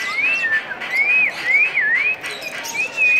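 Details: An African grey parrot, being coaxed to talk by children, gives a run of clear, high whistles, each a smooth rising or falling glide, about one every half second; faint background voices.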